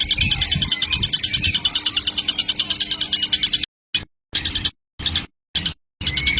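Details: Young kingfisher, still a baby, calling persistently, recorded as a lure sound for training other birds; rapid, high, scratchy chirps repeated about twice a second in an unbroken stream, with abrupt silent cut-outs near the end and a faint low steady hum.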